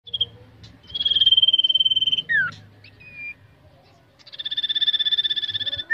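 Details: Caged common iora, locally called cipow or sirtu, being trained for singing contests: a buzzy rapid trill held about a second, a sharp falling slur and short whistle, then a longer even trill, with faint low background rumble.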